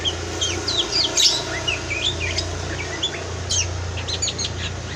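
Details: Kacer, the Oriental magpie-robin, at an Indonesian breeder: faint bright whistled notes and quick slurs over strong steady low hum and broadband noise.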